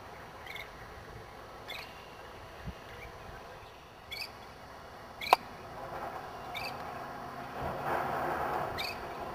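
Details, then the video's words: Northern shrike (Lanius excubitor) giving a series of short, harsh, upward-flicking notes, about seven across nine seconds at uneven intervals, with one sharp click and a soft background hiss. "Northern Shrike - Calls"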